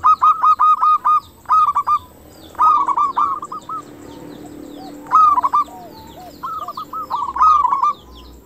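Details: Local zebra dove singing in a clear voice, meant to stir other zebra doves to answer and raise their breeding mood: repeated loud phrases of quick staccato coos every second or two, soft drooping coos and faint high chirps between.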